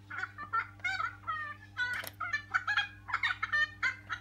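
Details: Loud raucous cackling from a noisy friarbird colony drawn to a house by a Little John tree in full flower: rich, harsh, rhythmic nasal phrases tumbling almost continuously, several birds overlapping, steady low hum beneath.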